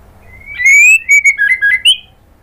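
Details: Female white-rumped shama calling to a male, played to stir males into answering: a loud, clear run of whistled notes, one long rising slur followed by short, bright notes stepping down and then up, ending on a high whistle.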